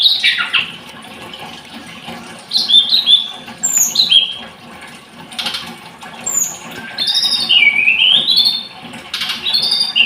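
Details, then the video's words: Blood-breasted flowerpecker (tledekan gunung) with scattered high chips and short downslurred whistles. Quiet gaps separate the notes, then a longer warbled, wavering phrase follows. "Kicau Tledekan Gunung"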